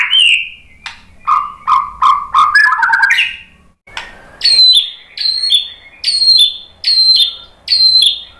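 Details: White-rumped shama song used as a lure to provoke other birds into answering and singing: varied whistled phrases with slurred notes, then a run of bright downslurred whistles repeated about every 0.7 seconds.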